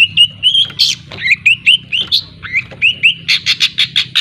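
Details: Young long-tailed shrike, Lampung type, working on ngriwik song: varied squeaky slurred whistles, some upslurred, ending in a quick run of buzzy repeated notes.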